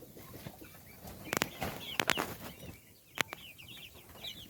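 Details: Chicks feeding give rapid high cheeps, mixed with loud clattering taps and pecking knocks, and a run of overlapping downward chirps toward the end.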